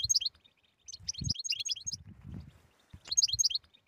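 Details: European goldfinch singing tetsetsa-style phrases, meant to prompt silent goldfinches: a brief twitter, then a longer run of tinkling high notes and another burst, with low knocks in between.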